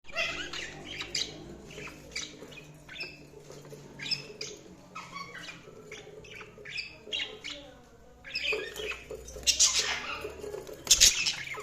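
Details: Budgies chirping in a busy, overlapping stream of short, sharp chirps and warbled notes, several every second, growing louder and denser toward the end.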